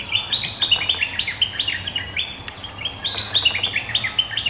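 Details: Excited resident bulbul meeting a rival: a steady stream of rapid, sharp chirpy notes in repeated bouncy groups, clean and loud with little background noise.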